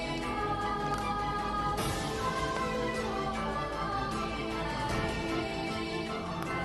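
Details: Steady instrumental background music plays throughout, with no animal voices audible.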